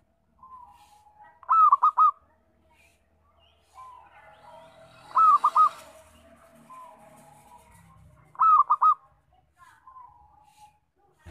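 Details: Loud local zebra dove song, kept as a trapping lure: three short, rolling, stuttered coo phrases spaced about three seconds apart, over a quiet hiss with faint chirps from other birds between them.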